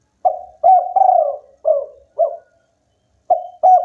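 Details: Local spotted dove in lively song, said to provoke rivals into calling; a run of low soft coos of mixed length, a longer gliding note among them, a pause, then the pattern starts again.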